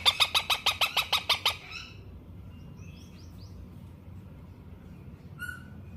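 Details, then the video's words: A baby ringneck (rose-ringed parakeet) gives a fast burst of about nine harsh, raspy squawks in under two seconds, then scattered softer chirps and one more squawk. "How Ringneck Baby Parrot Sound"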